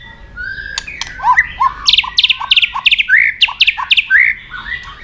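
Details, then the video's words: Fighting song of a white-rumped shama, used as training song to fire up young birds. Sharp clicks and buzzy bursts alternate with short looping whistles in a fast, rhythmic string. "chòe lửa hót đấu,tạch đập đuôi căng lửa.kích lửa hót đấu.luyện chòe lửa hót căng kích bổi"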